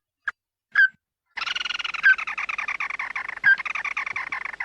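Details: Red-eyed bird calling its flock, a call used as a lure: two short sharp separate notes, then a loud, fast, harsh rattling chatter of rapid pulses that runs unbroken for over three seconds.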